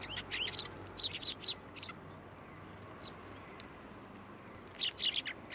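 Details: At a Tenmangu shrine on 2 January 2023, sparrows gathering at a post for food chirp busily in a quick series at the start, fall quiet, then burst into a short cluster of high notes again near the end.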